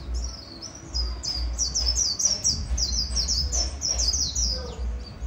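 A white-eye sings a fast, high twittering run of thin, bright notes over a low background hum.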